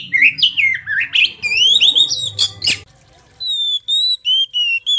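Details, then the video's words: Lure song of an Oriental magpie-robin: fast rising and falling slurred whistles and harsh notes, a short pause, then a series of clear, sweet, evenly spaced whistled notes, each slightly descending. "MASTERAN PANCINGAN PIKAT BURUNG KACER GACOR"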